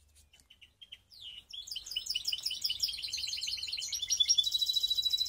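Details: Mixed canary (baster) from Skopje opening with a few separate short chirps, then launching into a loud, rapid rolling trill that grows brighter and ends in a dense buzzy roll.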